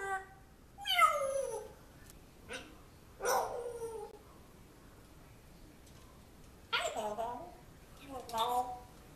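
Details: African grey parrot indoors, said to talk about and train a dog from its previous home in a man's voice. Four or five whining, dog-like bursts with sliding tones, spaced a second or more apart.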